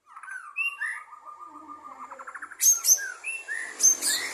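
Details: White-rumped shama singing in 2023, songbird competition context: rising and falling whistled notes, then a soft warbling trill, ending in bright high chips and short upslurred whistles.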